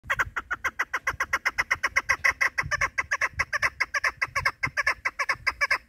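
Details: Female chukar partridge kept for hunting, calling in a fast, steady series of harsh clucking chuk notes, roughly two or three each second, continuing without pause throughout, with faint low background rumble.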